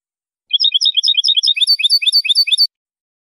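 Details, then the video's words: Male European goldfinch delivering a clean-style song, a rapid, bright, liquid twittering of high chirps repeated quickly for about two seconds, clean and unaccompanied. "canto del jilguero limpio"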